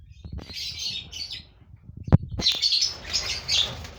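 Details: Colony of five lovebird pairs during breeding: bursts of shrill high chattering calls, a sharp knock near the middle, then a sustained noisy chorus of overlapping squeaks with low rumbling underneath.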